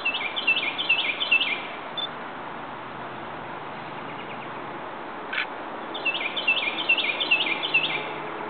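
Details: Rose-breasted Grosbeak singing in Ellicott City, Maryland, on May 5, 2011: two bursts of quick, sweet warbled whistled phrases, rising and falling, separated by a pause, over steady traffic-like background hiss.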